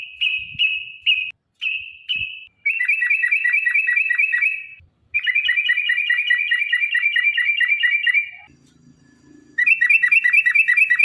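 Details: Yellow-vented bulbul, "ropel panjang" style lure song meant to set caged birds singing: a few sustained whistled notes, then two long bursts of quick repeated chattering notes with a short pause, faint low hum near the end.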